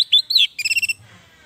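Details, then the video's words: Orange-headed thrush song used to coax reluctant captive birds into singing: two loud warbled whistles, then a quick run of six or seven short chattering notes before fading to quiet. "Suara Anis merah panggilan, pancingan, masteran, terapi, Untuk Anis merah yang Macet & malas bunyi"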